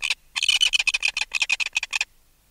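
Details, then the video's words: Adult red-billed tropicbird, removed from its nest, utters a short stuttering burst of about a dozen harsh, shrill notes lasting two seconds, then falls quiet. Alarm calls recorded close. "Red-Billed Tropicbird. Alarm Calls CU From Adult Removed From Its Nest."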